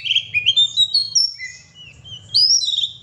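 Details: Singing oriental magpie-robin (kacer gacor), kept to stir up pet birds. Quick chain of bright whistled notes stepping upward, a pause of soft thin sounds, then a loud burst of sweet, high, slurred whistles.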